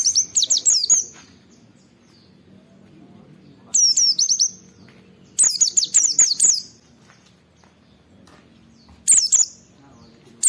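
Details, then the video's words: Rival-challenging Oriental white-eye song meant to spur other white-eyes into singing, delivered in four short bursts of high, tinny, rapidly chattered whistles separated by pauses of two to three seconds of near silence. "Suara Burung Pleci Gacor Cari Lawan Bikin Semua Pleci respon gacor buka paruh"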